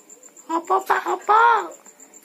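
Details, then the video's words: Javan myna mimicking human words such as bapak, mamak and opo pak: a run of short voiced syllables ending in a longer, arched syllable, with steady high insect-like ticking behind. "Jalak kebo pandai bicara"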